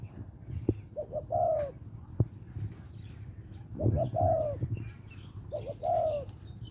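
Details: A spotted dove from Lopburi, Thailand, calls a mate. It gives three spaced phrases, each a soft doubled note and then a long, mellow, downslurred coo, with clicks and a brief rustle in between.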